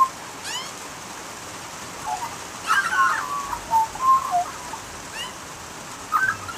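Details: Australian magpie singing in the rain, spaced bursts of liquid warbling with a clear descending fluted phrase midway, some thin rising high chips, and constant rain hiss.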